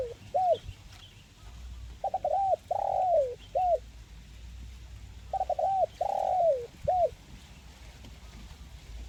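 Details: Spotted dove (tekukur) giving a 'mersik' style cooing call, kuk 1 type: a short note, a quick double note, a long slurred falling coo and a final short note, with the phrase given twice over a quiet background.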